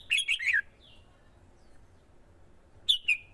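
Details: Male red-whiskered bulbul, stimulated by a female to sing competitively and call in wild birds: a fast, jumbled phrase of bright warbled notes and a soft trailing note, then after a long pause two sharp, clear notes.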